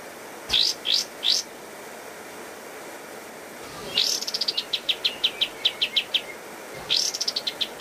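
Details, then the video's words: Pied triller singing lively master song for training cage birds: three quick upslurred notes, a pause, then a long run of about fifteen rapid high notes, and another burst beginning near the end. "Masteran Kapas Tembak Gacor Terbaik 2022"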